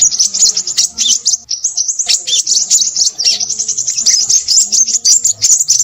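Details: Excited, high-pitched Crimson sunbird song made of rapid chipping notes and thin rolling trills that go on almost without a break.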